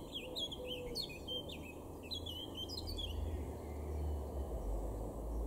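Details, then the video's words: Garden in Weener, East Frisia, Germany, April 2022, where a male blackcap delivers a rapid run of looping, warbling notes in two phrases during the first three seconds, against a deep background rumble and a thin steady tone. "blackcap (male)"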